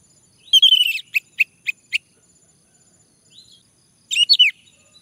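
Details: Song of a male orange-headed thrush for prompting birds to sing: a fluttering warbled note, then four evenly spaced sharp chips, a pause with a soft faint note, and a final quick twisting trill.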